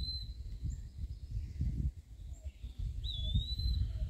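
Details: Eastern wood-pewee at Point Pelee National Park, Ontario, perched in the mid-canopy while hunting flying insects. One clear slurred, rising whistle comes late, against steady low-pitched rumble.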